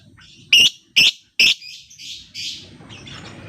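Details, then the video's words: Lure for silent lovebirds to start singing: three loud, shrill, scratchy chirps in quick succession, then softer raspy hissing notes fading out. "Pancingan Lobebird cepat/jitu burung Lovebird diam biasa gacor denggar suara ini"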